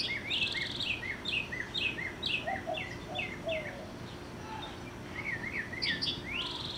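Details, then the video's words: Mockingbird singing from about 50 yards away and 30 feet up, serenading over a yard; varied phrases of rapid rising whistled notes, each repeated several times before switching, with steady low background noise. "Mocking Bird Serenade"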